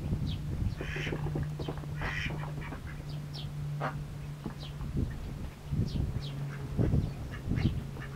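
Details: Mallard ducklings feeding with big appetites: high peeps and slurred cheeps come in irregular bursts among low splashing, with a steady low hum throughout.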